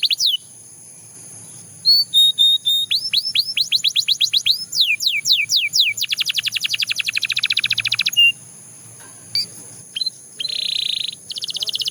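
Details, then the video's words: Belgian canary singing a varied, high song: quick rising sweeps repeated in runs, steady rapid trills, a dense buzzy roll, then short chips and a final trill, with a faint constant high tone throughout. "The Most Effective Canary Singing Sound – Belgian Canary Edition"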